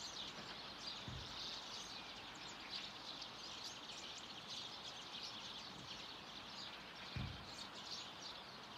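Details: A flock of at least 100 common redpolls gathered at a bird feeder in Haga on 3 March 2024 keeps up a dense, continuous chatter of high buzzy twitters and chirps, with a few low thumps underneath.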